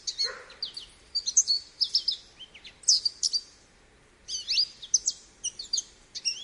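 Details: An American goldfinch sings in bright clusters of high twittered notes and quick rising-falling whistles, one lower descending slur at the start, a pause around four seconds before the twittering resumes.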